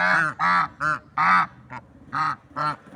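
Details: Swans in nature call with a string of about eight harsh, nasal honks at uneven intervals, some longer and some clipped short.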